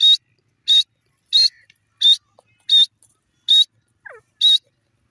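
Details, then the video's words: Grey francolin uttering seven short, bright, buzzy notes at a steady pace of about one every 0.7 seconds, with one faint falling squeak near the end. "grey francolin ki piyare awaz,teeter birds sound"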